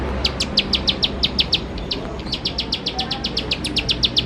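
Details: Bar-winged prinia producing rapid high chips, several per second, in an uneven run with a short pause, over faint low hum.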